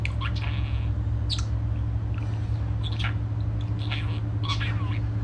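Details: A budgerigar chatters cheerfully in the morning with scattered squeaky chirps and short warbles over a steady low hum.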